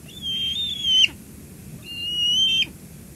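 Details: Bald eagle at the Two Harbors nest, 17 July 2022, live nest-cam recording, an adult bringing food to the young eagle. Two long, level, high whistles of nearly a second each, clear above faint low background noise.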